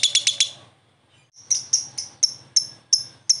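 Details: Lovebird, a prospect bird, responding to another lovebird: a quick cluster of four shrill notes, a brief pause, then single sharp high chips about three times a second.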